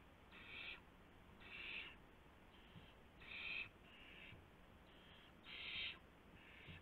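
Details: Owl in its nest at 1:00 AM on March 24, 2016, with a gopher brought in; uneven run of hoarse hissing screeches, louder and softer ones alternating, over a low constant hum.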